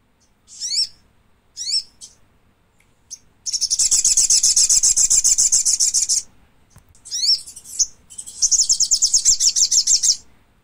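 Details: Thick-billed spiderhunter giving two squeaky notes with falling tails, then a long fast chatter of high sharp notes lasting about three seconds, another pair of squeaky notes, and a second rapid chattering run.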